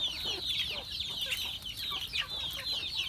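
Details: Chickens during feeding on a farm: a bright, dense chorus of high chirping notes, many sweeping downward, overlapping without a break.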